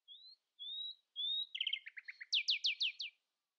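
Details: A common nightingale sings at dawn to outdo rivals, opening with three soft rising whistles, then a quick jumble of clicks and chirps and a loud series of sweeping slurred notes.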